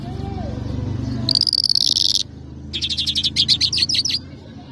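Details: Mashadi jal lark (Irani or Afghani jal) singing: a sustained buzzy high trill of about one second, a pause, then a series of rapid repeated rising chirps, over a steady low-pitched hum.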